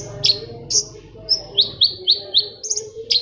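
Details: Long-tailed shrike song used to stimulate silent shrikes into singing: sharp high chirps and downslurred whistled notes repeated rapidly, with a steady low hum beneath.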